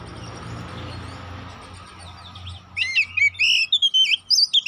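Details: Oriental magpie-robin (kacer poci) lure song for provoking fighting birds: nearly three seconds of low background hiss, then a quick burst of loud, sharp whistled and chirping notes.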